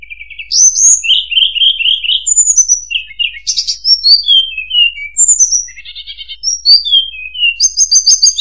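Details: Tledekan (murai buluh) pouring out a continuous song: high thin whistles, falling slurred notes and fast rattling trills, the phrases changing quickly with almost no break.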